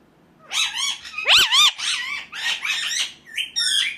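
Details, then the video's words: Rapid unbroken chatter of grating, swooping squawks from an Indian ringneck parakeet, ending in a flatter, wavering note. "ringneck 🦜 natural sound"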